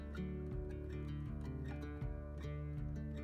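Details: Only plucked guitar music is heard, with steady strummed chords and no animal sound.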